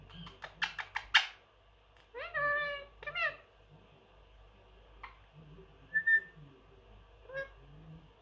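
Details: Pet male Indian ringneck parakeet, aged three, known for saying phrases, vocalising indoors: rapid clicking notes, then several sliding harmonic word-like syllables, followed by quieter scattered calls over a faint background hum.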